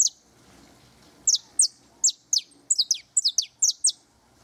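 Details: Singing near the nest, a canary gives a string of loud, high, downslurred whistles, some in pairs, after a second of quiet.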